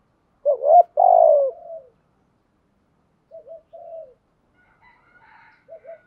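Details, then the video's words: Spotted dove giving thúc gù coos to draw calls from other doves. A loud rising-then-falling double coo trails off softly, followed by quiet short coo pairs and faint higher chirps near the end. "chim cu gáy thúc gù/ chim cu gáy gù thúc"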